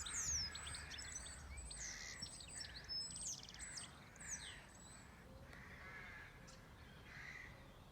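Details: Several birds at a farm cottage setting in full chorus: quick high chirps, sweeping whistles and trills tumbling over one another, fading to scattered notes near the end, over a low hiss.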